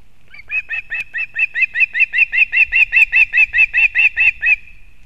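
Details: Female osprey delivering fish to a chick at its nest in Kurzeme, Latvia, 31 August 2024: long insistent sequence of roughly eighteen shrill, slightly downslurred chirps, rapid and regular, against a quiet background.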